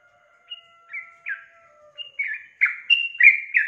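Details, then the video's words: Female sooty-headed bulbul calling to lure a male into singing: a few separate bright notes over faint steady lower tones, building into louder, quicker bubbly chatter. "PANCINGAN TRUCUK BETINA MEMANCING JANTAN AGAR IKUTAN GACOR"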